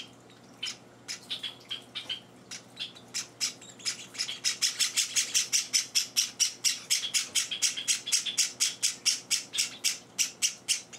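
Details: Young Java sparrows being hand-fed at home: irregular high peeps that build into a loud, rapid, insistent train of buzzy chirps, about four each second, continuing to the end.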